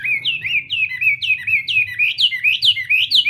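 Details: Chinese hwamei practising its morning song, a fast series of bright whistled upslurs and falling notes, about two per second, loud and steady throughout.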